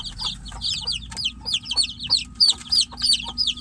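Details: Caged chicken chicks crying for their mother hen, which stays outside the cage; piercing descending cheeps tumble over one another in quick succession, punctuated by brief clicking knocks and a low constant hum.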